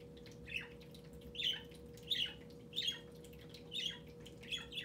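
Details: Pet budgerigar singing indoors, perched atop a computer monitor and facing an inactive webcam: a run of six scratchy, squawky chirps roughly every 0.7 seconds, over a steady low electrical hum.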